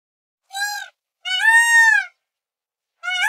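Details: A peacock calling during its display dance gives three loud, nasal, wailing calls about a second apart against silence, the middle one longest and slightly arched in pitch.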